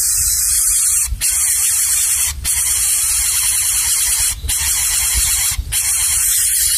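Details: Greater Coucal nestlings of differing sizes in the nest, where the smallest cannot get food, give a harsh, steady begging hiss broken by brief pauses, over a high, even insect-like drone.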